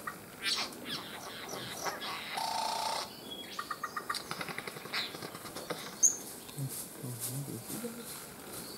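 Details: Male Albert's lyrebird displaying and calling in foliage, Main National Park, Queensland, outside breeding season: varied harsh, scratchy bursts, then fast repeated clicking, a few soft low sounds; mimicry includes Satin bowerbird and Crimson rosella, other imitated species unknown.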